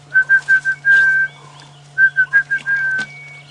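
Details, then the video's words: During a morning dawn chorus on 28 September 2016, an Orange-breasted Bushshrike whistles its clear 'coffee, tea or me' phrase twice, four quick even notes then one long held note, over a low steady hum. "Coffee, tea or me, coffee, tea or me, the orange-breasted bushshrike."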